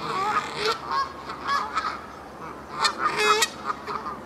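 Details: Canada geese at the castle park in Herten, with short, sharp honks in two bursts separated by a quieter pause of about a second, each burst made of several rapid nasal notes.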